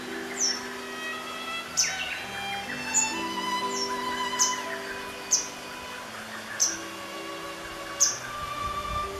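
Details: A grey wagtail in summer plumage gives about eight sharp, high chips, one every second or so, over soft background music.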